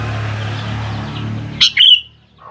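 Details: Sooty-headed bulbul lure song meant to get young birds to answer: one short, bright, bubbly phrase near the end, preceded by a low steady hum and faint background chatter.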